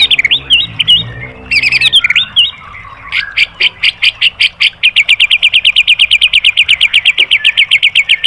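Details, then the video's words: White-rumped shama, master song for training caged birds, 'tembakan' material: a few looping whistled phrases, then a long run of sharp, evenly spaced staccato notes, roughly four a second, held for several seconds. "MASTERAN MURAI BATU biar EMOSI NYAUT jadi GACOR BONGKAR MATERI TEMBAKAN"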